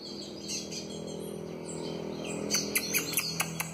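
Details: Soliciting female Ultramarine grosbeak: after a quiet start, a run of sharp, clicky high chirps repeated roughly every fifth of a second, with a low steady hum underneath throughout.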